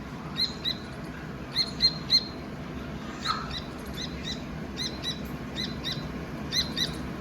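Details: A Dakni teetar partridge chick chirps more softly and from farther off: thin high notes in loose clusters, a louder trio early on, over fuller low background noise.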